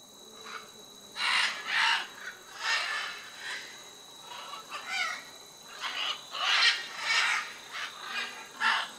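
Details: A flock of macaws, including blue-and-yellow, red-and-green and scarlet macaws, gives harsh, raucous squawks in overlapping bursts about once a second at a clay lick in Tambopata National Reserve, Peru, over a faint, steady insect drone.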